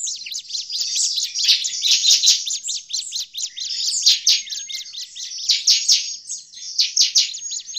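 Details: Noisy Bar-winged prinia calls used to lure prinias: nearly eight seconds of crowded, rapid high-pitched chirping, notes overlapping in places, with rhythmic swells in loudness.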